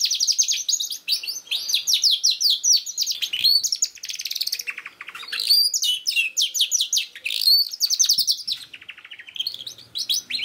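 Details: Continuous canary song to encourage a young canary to sing: dense, high, rolling trills and rapid repeated notes changing pace throughout, with only brief dips.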